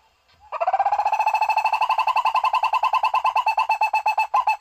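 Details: A barbet gives a fast run of hollow, mid-pitched notes, about nine each second, steady and even for several seconds, with nothing else heard; played as a lure for catching birds.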